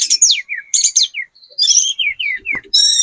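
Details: Sunda robin, speckled 'trotol' type, singing hard as a lure meant to make any other bird answer; high whistled notes sliding downward alternate with brief buzzy bursts, separated by short pauses.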